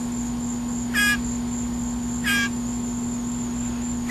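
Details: Blue jay being fed by hand, shrieking when hungry: two short harsh shrieks over a steady electrical hum and a high whine.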